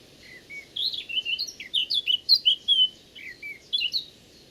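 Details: A Eurasian blackcap sings a rich warbling phrase of quick varied notes, breaking into the five or six clear fluty whistles typical of the species, with a low murmur of background noise.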